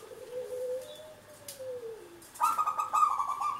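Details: Local zebra dove, a strong singer used to coax other birds to sing. A soft low whistle rises and falls, then a burst of buzzy, rapidly pulsed coos follows at higher pitch.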